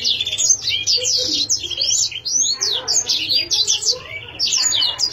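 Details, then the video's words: Loud, rich canary song with overlapping high chirps, looping whistled notes and rolling trills delivered in quick succession, steady throughout. "chim yến siêu hay , yến hót hay"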